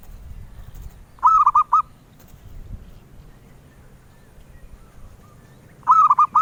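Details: Zebra dove, known as perkutut, singing the melodious song prized by collectors: two short phrases of quick, wavering coos, one early and one at the end, with quiet between.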